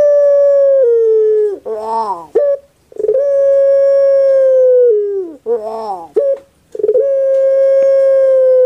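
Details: Puter pelung dove kept in Java gives a held, smooth coo about two seconds long, a bubbling downward-sliding gurgle and a sharp short kwok, repeated once before a third long coo begins.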